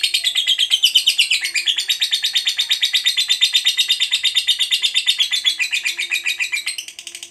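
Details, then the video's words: Fighter-type lovebird giving ngekek panjang, a long unbroken chattering song: rapid, evenly pulsed, high buzzy notes running for over seven seconds, with a slight dip in pitch early on and a faint low hum behind. "SEKALI BUNYI, BIKIN AUTO NYAUT, Jadikan Lovebirdmu FIGHTER Rajin Ngekek Panjang"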